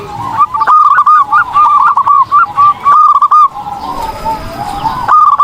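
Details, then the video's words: Zebra dove song for training other birds: a rapid chain of short, punchy cooing notes lasting about three seconds, a quieter lull with faint background coos, then another brief burst. "PERKUTUT GACOR || COCOK UNTUK MASTERAN || SUARA BURUNG PERKUTUT"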